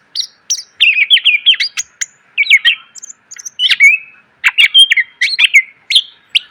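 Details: Greater green leafbird song for tutoring cage birds, rich in mixed phrases: a long busy run of wavering whistles, quick slurred notes and sharp clicks, pausing briefly before further bursts of warbling.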